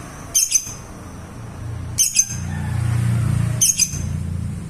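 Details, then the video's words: Lovebird singing in the ngekek style: three short, bright, high chirping trills, each about a third of a second long, come at roughly 1.6-second intervals over a low steady hum. "kicau Lovebird ngekek"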